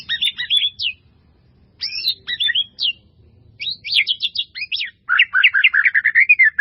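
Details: Melodious white-rumped shama master song with varied fill-in phrases: short bursts of sharp high whistles separated by pauses, finishing with a rapid, rolling chattering run.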